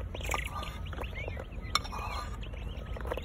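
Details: Several northern bobwhites, excited and hungry at treat time, chatter at once with quick, soft, overlapping chirps and short whistles, some rising, over a low rumble.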